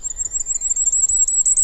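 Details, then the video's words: Firecrest song: a very high, thin string of repeated single notes, steady and unpulsed, lacking the rhythmic pulsing of goldcrest song, with faint low background noise. "The song lacks that rhythmic pulsing of Goldcrest."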